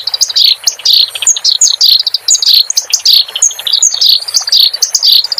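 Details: Training recording for cage birds of clamorous reed warbler song: a continuous, jumbled stream of harsh chattering notes mixed with quick, bouncing upslurred whistles, loud and unbroken throughout.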